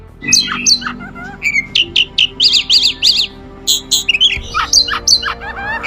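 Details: Oriental magpie-robin (kacer) singing a rich, varied song of sharp whistled notes and quick chirps, mostly high-pitched, delivered in rapid bursts with brief pauses, over a faint low hum.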